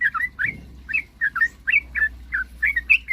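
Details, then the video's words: Sooty-headed bulbul song meant to spur rivals into calling. Short, slurred whistled notes repeat about three to four times a second in an uneven rhythm over a steady low drone. "suara kicauan trucukan gacor..paling jago memancing lawan agar cepat bunyi"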